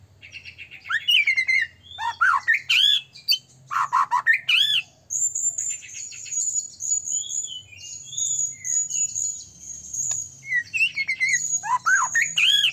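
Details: Prolific white-rumped shama song, used to coax other shamas into singing: varied loud slurred and harsh phrases alternate with a long, very high, thin sustained trill, followed by more swooping whistles.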